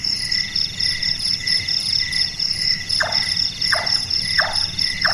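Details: Knocking call of a Large-tailed nightjar (Caprimulgus macrurus), called burung tukang and said to sound like carpentry work, active at night. After three seconds of steady insect trilling, four abrupt, downward-sliding chonk notes follow quickly.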